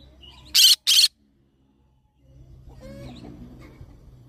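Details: Green-cheeked conure giving two loud, harsh, broadband screeches in quick succession, each about a fifth of a second long, followed by near silence and then faint low background sounds.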